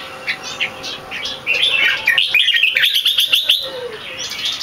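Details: Competition red-whiskered bulbul, not in full form, delivering its long keke. Scattered notes build into a rapid run of rising and falling whistled notes, then trail off.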